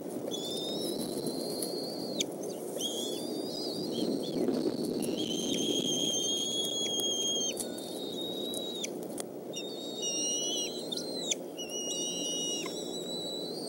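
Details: Evening feeding at the Decorah eagle nest, 17 May 2014, the father delivering fish to the young: repeated high whistled squeals, some held and slightly wavering, others short and sliding, ending in abrupt downward drops, above constant low-pitched hum.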